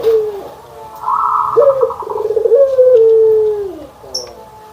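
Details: Barbary dove cooing, white and brown birds compared: one long warbling coo that rises briefly then slides slowly down, with a pulsing higher tone over it and a short high chirp at the end.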